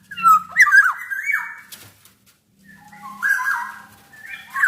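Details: Black-naped oriole singing for a tutor and lure recording. A loud, liquid, whistled phrase is followed by a pause, then a softer, lower whistle that rises again at the end. A faint hum is heard.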